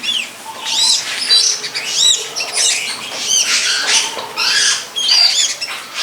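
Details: A wild long-tailed shrike behind a friend's house, near a longan orchard, sings steady bursts of raspy arched notes and short buzzy phrases, with a clear high whistle near the end.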